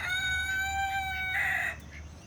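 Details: Rooster crowing on a farm in Villeta, Colombia: a loud, drawn-out harmonic crow held level for over a second, ending in a brighter, higher final note, then fading to a low background hum.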